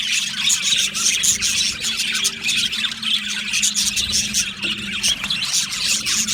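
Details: Aviary flock of Australian budgies producing nonstop bright chirps, squeaky notes and scratchy warbles layered together, a low steady hum running beneath the chorus.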